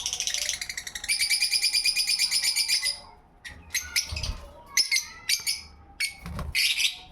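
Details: Small pet parrot singing: a long rapid series of buzzy repeated notes for about two seconds, then scattered sharp chirps and squeaks with brief pauses, some low thumps in the background.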